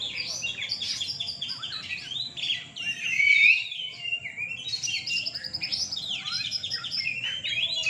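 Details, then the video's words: Several caged Oriental magpie-robins compete at a nighttime songbird contest in Surabaya, Indonesia, pouring out a continuous tangle of high sweet whistles, scratchy chips and upward-sweeping notes over faint background hum. "Lomba Burung Kacer mania di gantangan malam"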